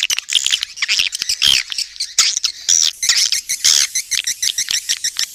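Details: Swiftlet attraction call in the Raja Kalimantan style from Borneo: harsh high chattering bursts mixed with brief thin whistles and rapid clicking pulses, roughly two per second.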